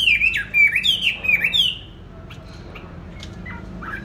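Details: Caged songbird, bought 19 May 2020 and kept on steady bran, gives about two seconds of fast, shrill swooping whistles, then goes quiet with only faint distant chirps.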